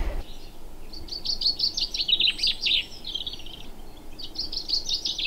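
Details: Common chaffinch singing close by on a freezing morning in north Wales, with two birds singing: a bright cascade of tumbling notes over about two seconds ending in a flourish, a brief pause, then a second phrase; light background hiss.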